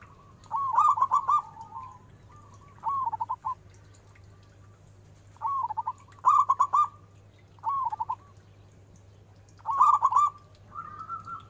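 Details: Local zebra dove with a big, loud voice, used as a lure to draw quick answers: rolling, burbling coo phrases repeated at irregular gaps, each a quick run of notes ending in a drawn-out coo, over a steady low hum.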